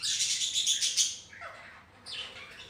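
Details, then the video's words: Colony of healthy pet budgerigars kept at home together with ring-necked parrots, chattering in a dense burst of high, scratchy chirps and warbles, then quieter twittering after a short lull. "Parakeets #parakeet budgies #budgies parrot colony"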